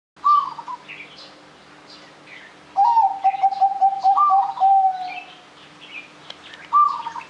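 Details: Zebra dove in full, lively cooing song used as a lure to get other birds singing: a bright opening coo, then a steady run of about eight soft evenly spaced lower notes, repeated, with faint chirps of other birds behind.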